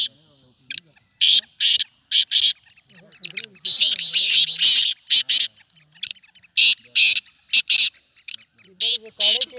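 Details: Local Black francolin (kala teetar), Sindhi Kohati type, calling in a contest: harsh, noisy rasping bursts in short irregular groups and quick doublets, separated by brief pauses, with faint human voices beneath.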